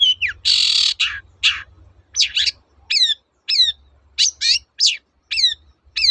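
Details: Long-tailed shrike singing to coax silent shrikes back into voice: harsh broad screeches at first, then repeated sharply down-slurred whistles, each closely doubled, coming roughly every half second.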